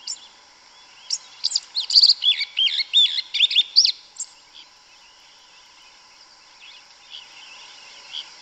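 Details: Yellow-legged thrush singing canto mateiro in Brazilian forest: a dense jumble of high twittering notes lasting about three seconds, then a quiet stretch with faint distant chirps and a steady background hum.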